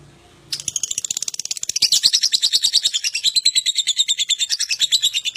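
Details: Lovebird ngekek song, used to prompt other lovebirds to sing: a long, fast chattering trill of rapid high pulses, about three per second rising to a steady rattling stream, starting abruptly after half a second of quiet.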